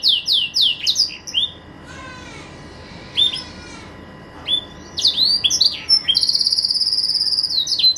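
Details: Caged green canary singing melodiously at home: sequences of rapid down-slurred whistles, short rattling phrases, and a closing stretch of fast pulsed trilling followed by sweeping notes, with brief gaps between bursts.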